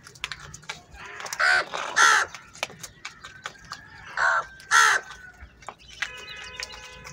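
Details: Crows in a large flock squabbling over food: two pairs of harsh, ragged caws about two and a half seconds apart, with a faint trilling songbird and scattered clicks behind them.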